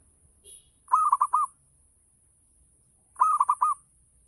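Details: Zebra dove of local stock singing ngayer style as a lure to prompt other doves to reply; two crisp phrases, each a rapid run of four or five rounded cooing notes, separated by silence.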